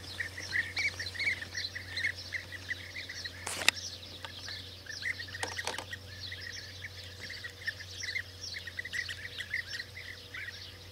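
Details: Calls from several European bee-eaters at the start of the 2024 season form a continuous chorus of rolling, trilled notes. Two sharp clicks or knocks break in midway, over a steady low hum.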